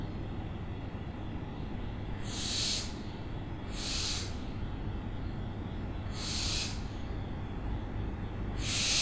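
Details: Owl repeating rough, airy screeches, four hoarse bursts spaced about two seconds apart, each under a second long, with a continuous low hum underneath.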